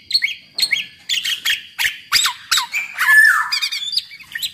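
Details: Black-naped oriole (kepodang) in chatty song used as a lure for other orioles; spaced sharp two-part notes repeated about every half second, ending in a harsh slurred descending phrase.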